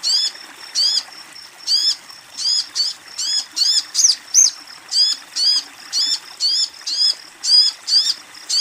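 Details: Female Crimson Sunbird calling to a male: high, thin, down-curving chirps repeated roughly twice a second in an uneven series of about seventeen notes, with a faint background hiss.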